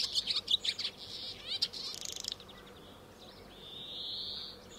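A swallow's fast, high twittering, with quick chirps tumbling together for two seconds, then a drawn-out buzzy note near the end.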